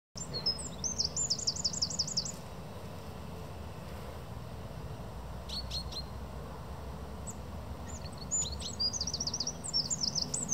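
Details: Eurasian wren in Proletarsky Park, Tula, 15 November 2020, giving bursts of very high, rapid, tinkling notes, about ten to a phrase, with pauses between bursts, over a low steady rumble.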